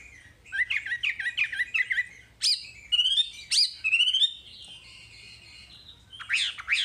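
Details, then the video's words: Wambi song for masteran: a quick run of bright chirped notes, then sharp high upslurred calls and a long sustained level whistle, ending in more loud rising notes over a faint low hum. "Masteran Wambi paling istimewa full materi"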